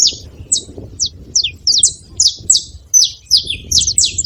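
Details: Saffron finch at a feeder gives separate sharp, high, down-slurred chirps, about two per second at first, then speeding into tighter pairs, with faint low background noise.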